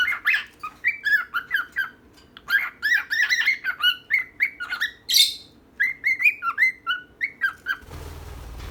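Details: Nearly uncut recording of a female and a male pet bird chattering: long runs of rapid, wavering whistled chirps with a few harsher squawks, steady and close, cut off by a brief low rumble at the end.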